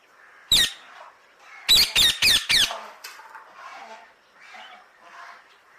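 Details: Parrot giving a single harsh, broadband screech, then a fast run of four grating squawks in close succession, with softer murmuring calls and faint background chatter between them.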